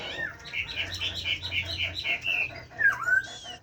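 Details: Caged Chinese hwamei singing in the forest-voice style (giọng rừng): a fast run of bright, slurred whistled notes repeated about four per second, ending in a lower swooping whistle and a high thin note.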